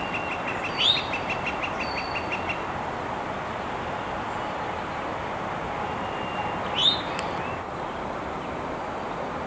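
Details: Eastern towhee calling from an exposed perch in Montoursville, Pennsylvania, on 9 April 2021: two short, bright upslurred notes about six seconds apart. A dry pulsed trill and a steady thin whistle from other birds come early, over constant broad hiss.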